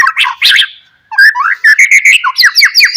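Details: White-rumped shama song meant to draw answers from other shamas; harsh scratchy notes give way to a fast sequence of loud, clear slurred whistles and chirps.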